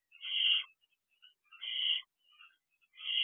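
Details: Two barn owl owlets on the perch of a nest box in the evening; loud raspy screeching hisses roughly every one and a half seconds, three in all, with faint softer rasps between them.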